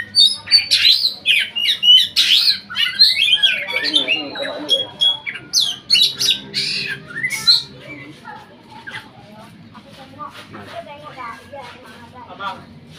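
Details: Oriental magpie-robin competition bird from Riau province, Indonesia, pouring out rapid harsh chatter and bright whistles for about seven seconds, then fading to a few soft scattered notes over quiet background.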